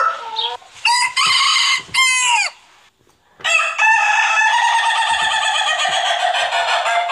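A rooster crows loudly in harsh, rich bursts, one crow falling at the end and a longer drawn-out crow after a short pause.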